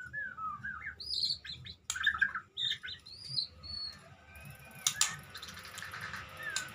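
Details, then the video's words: White-rumped shama, a field-kept bird, singing varied whistled phrases and slurred notes, followed by clicks and broadband clattering noise in the second half. "murai batu medan pasang Ranyuan"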